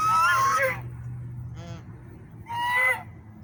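Swan giving two loud, harsh, trumpeting honks about two seconds apart, with a softer nasal note between them over a low background rumble.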